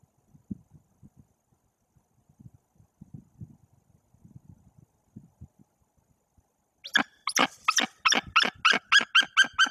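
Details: After several seconds of quiet low rustling, a white-tailed eagle bursts into loud yelping calls in Bory Tucholskie. The incubating female on her nest is driving off an unidentified intruder perched on the nest tree above her.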